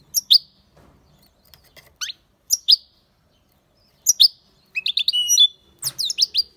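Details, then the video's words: European goldfinch singing in short bursts, with sharp descending chirps spaced about two seconds apart and a quick twittering phrase near the end; quiet between the notes. "Goldfinch singing the best chirping | Bird songs - Chirping birds - Jilguero cantando fuerte"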